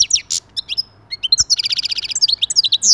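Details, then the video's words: Goldfinch song intended to encourage other goldfinches to sing; scattered high chips build into a dense, rhythmic trill of rapid repeated notes ending in bright, rising twitters. "تغريد رائع لتحفيز أي حسون على الغناء"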